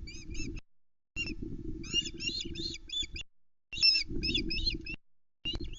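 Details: Ospreys on a Loch Arkaig nest in the Arkaig Community Forest, dawn of 10 July 2020, the male delivering a headless trout to the female and three young: bursts of sharp, squeaky whistled chirps, several notes each, separated by short gaps, with wind buffeting the nest cam.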